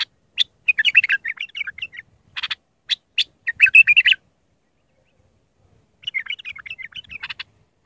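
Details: Iraqi bulbul, raw Mandali song type, recorded as tutoring for bulbul chicks: rapid chattering warbles and clicks, a few seconds of silence, then a further rambling warbled phrase.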